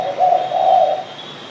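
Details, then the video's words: Spotted dove (derkuku) delivering two soft, low coos in close succession, a warm hollow tone with a faint high tonal hum running beneath. "BURUNG DERKUKU"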